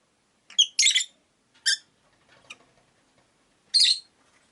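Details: Shrill scratchy chirps from caged rosy-faced lovebirds, five birds by a window: a loud double call, a shorter note, faint low rustling, then another harsh chirp; room quiet between.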